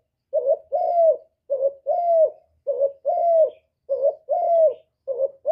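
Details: Spotted dove calling in the hạp bổi voice, recorded directly without background noise as part of a full song of calling, urging and cooing. Regular paired coos, a brief low note then a longer, smoothly falling one, with nothing else heard.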